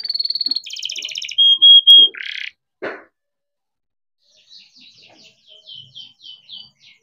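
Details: Captive-bred young canary in continuous rolling song, meant to coax silent or learning canaries into singing: a bright trill and a long pure whistled note, a short burst, then quiet, faint chattering notes.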